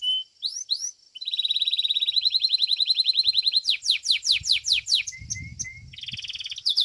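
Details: Competition song of a domestic Belgian canary: rising whistled slurs, then a long steady rolled trill, followed by a series of loud sweeping downslurred notes, brief piping whistles and a final buzzy flourish.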